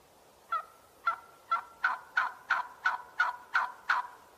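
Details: Ten evenly spaced, clipped turkey calls, spaced about half a second apart and growing slightly louder, after a half-second of near silence.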